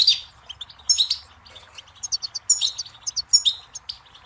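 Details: Goldfinch singing a rapid, tinkling jumble of high twitters, short buzzy notes and bright slurred chirps in uneven bursts, recorded clean with little background.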